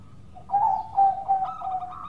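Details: Short fragment of a local zebra dove's melodious lure song: a few soft, smooth coos at steady mid pitch, rising slightly at the end.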